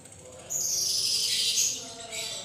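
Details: Lovebird giving a ngekek song, used as a lure to prompt other lovebirds to sing: a long, shrill, harsh chatter that starts abruptly and holds steady for about two seconds before fading, with nothing else heard.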